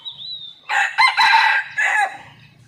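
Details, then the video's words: Wild red junglefowl filmed from a hidden camera on a morning after a storm, very lively: a loud, harsh, broken crow rises into a long buzzy middle note and ends with a shorter final burst, against quiet background. "ตั้งกล้องแอบชมไก่ป่า หลังพายุเช้านี้คึกมาก!!"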